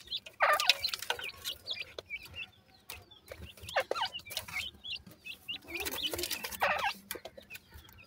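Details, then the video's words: Francolin chicks feeding and playing produce bursts of high, upslurred cheeps, several birds at once, between loud broadband scuffling and pecking noises. "dakhni teetar checks,sindhi teetar cheacks are feeding with playing"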